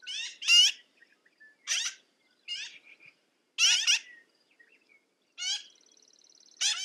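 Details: Scattered grating squawks from a black-billed magpie, some doubled, separated by quiet gaps of up to a second, ending with a faint thin buzzing call.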